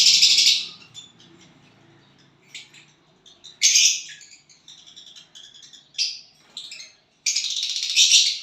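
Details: Violet bird chirping and singing when paired with a partner, opening with a loud harsh burst, then scattered soft twitters and quick chips, ending in a sustained rasping high chatter.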